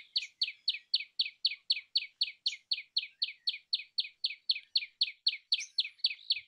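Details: Fast, very regular common tailorbird song: clear, loud, rising chirps delivered nearly four times a second in an unbroken string.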